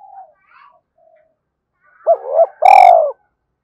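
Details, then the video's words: Spotted dove cooing, meant to rouse decoy birds. Soft faint notes come first, then a two-note lead-in and a loud, long, slightly descending coo, with a sharp click at the start of the coo. "tiếng chim cu gáy kích bổi"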